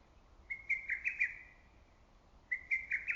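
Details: Lesser cuckoo in early summer greenery, loud and echoing: a rapid phrase of about five emphatic whistled notes on a level pitch, then after a second's pause the next phrase begins.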